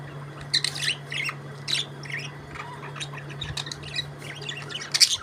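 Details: Budgerigars chirping: bursts of raspy high chirps and warbling squawks in quick clusters with short pauses, over a faint continuous low hum.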